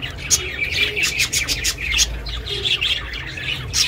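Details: Budgerigar kept at home chirping, intended for budgies kept alone; rapid, busy warble of clicking and squeaky chirps, nearly nonstop, with a quiet hum below.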